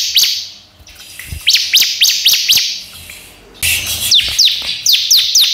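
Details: Bar-winged prinia, a tutor recording used to prompt other prinias to sing: quick bursts of sharp, high, slurred chirps, about four a second, with a brief pause between the two runs.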